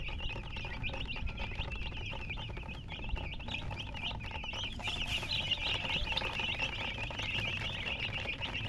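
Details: Many baby chicks chirping without pause, rapid high-pitched peeps overlapping in a busy chorus, some brighter sharper calls midway, with steady low background rumble.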